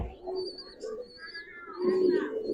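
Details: Giribaz pigeons in a collection of the breed: low, soft cooing phrases that swell near the start and again more loudly toward the end, with thin faint whistling tones higher up.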